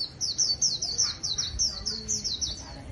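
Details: Wild-caught white-eye in a cage sings a brisk string of about a dozen high, sweet, falling chirps, evenly paced at several notes per second, with faint background voices.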